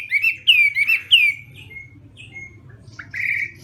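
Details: Chinese hwamei singing in the morning as training for song fights: three loud, ringing slurred whistles in quick succession, then quieter scattered notes and a short buzzy phrase at the end.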